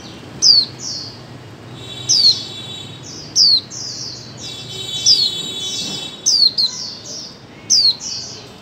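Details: Female white-eye calling to stimulate mute birds to sing: frequent high, downward-sweeping notes, some in quick pairs, amid busy fainter chirping and light background hiss.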